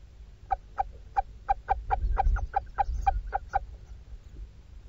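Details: At a webcam nestbox, a female little owl feeding her hungry chicks, talking to them constantly, gives a run of about a dozen short clucking notes, three or four per second, over a low rumble.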